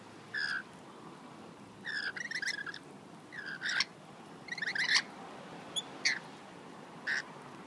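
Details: Rainbow lorikeets, local wild birds, being hand-fed on a balcony in Australia. Harsh, shrill screeches come in short separated bursts, about seven over eight seconds, some doubled, over a soft background hiss.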